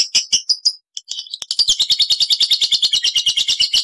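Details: A few separate ticking notes from a caged lovebird, a short gap, then a dense, rapid, high rattling trill in the ngekek manner, used to stimulate other lovebirds.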